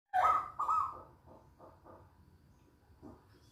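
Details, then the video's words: Local zebra dove singing eagerly: two loud, mellow cooing notes close together at the start, then fainter, softer echoes of coos trailing off, with a quiet murmur beneath. "Perkutut lokal GACOR"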